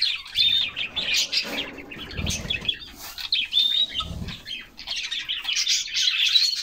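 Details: Canaries bathing in summer sing in surges of bright chirping and short whistled notes, while fluttering wings and splashing water thump low twice around the middle.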